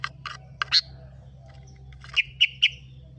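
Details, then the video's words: Kutilang, the sooty-headed bulbul, as a lure to start other birds singing: a few dry clicks and a short note, then three clear, bright chirps spaced evenly about a quarter-second apart. "Pancingan burung kutilang√Bikin bunyi"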